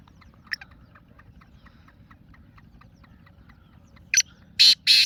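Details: Black francolin recorded 28 February 2026. After a long quiet stretch with faint ticking, the bird gives a short harsh note and then two loud, buzzy, rasping bursts at the end.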